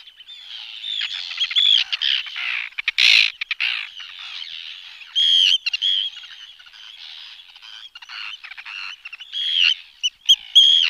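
Arctic Terns give harsh, high, grating calls, several overlapping at an uneven pace, with sharper bursts near three and ten seconds.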